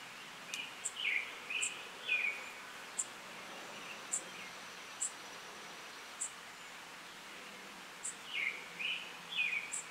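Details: A Brown-headed Cowbird chick being raised by Song Sparrow foster parents begs with thin, high chirps about twice a second, broken by bursts of lower, slurred squeaky notes, over a faint steady hiss.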